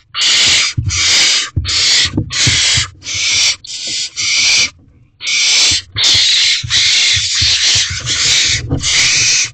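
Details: At 8:45 pm on 12 May 2023, barn owl owlets in a nest box compete for food as their mother takes all the prey. Loud rasping screeches repeat rapidly, a dozen or so, with one short pause midway.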